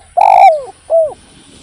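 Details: Spotted dove singing as a lure: a strong, long coo sliding downward, followed after a short pause by a softer, arched second coo, against a quiet background.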